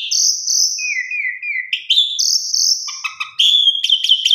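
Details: A female Asian pied starling calls a male, heard in a lure recording: long level whistles, a wavering lower phrase, a high bright whistle, then quick clipped notes and a burst of sharp chirps.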